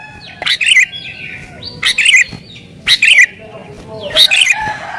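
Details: Aggressive sooty-headed bulbul song used to call wild birds and prompt bulbuls to answer. Four bright, bubbly, chortled phrases come about once every second, with thin whistled notes trailing between them.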